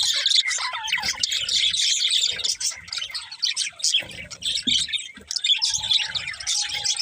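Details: Pet budgerigars in a flock give lively chirps and squawky twitters, the chatter dipping briefly midway before rising again, with a faint lower whistle toward the end.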